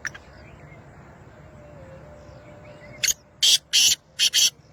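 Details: Lakka-strain black francolin giving its rasping call: a faint background, then a burst of five loud, scratchy, noise-like notes in a rapid, uneven rhythm over roughly one and a half seconds.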